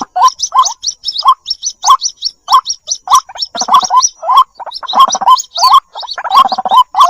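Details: White-breasted waterhen chicks calling for their mother in a lure recording: bursts of gurgling, upward-flicking notes at irregular intervals, mixed with high thin peeps and brief silent gaps.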